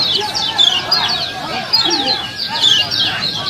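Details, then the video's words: Lemon-bellied white-eyes at a contest in gonsrengan style: quick bursts of high, sharply sliding chirps from several birds, surging and easing every second or so, with softer lower notes beneath. "Video kecial kuning LOMBA ‼️Latih Mental Kecial Anda 👍FULL GERONSENGAN dan Suasana Lomba"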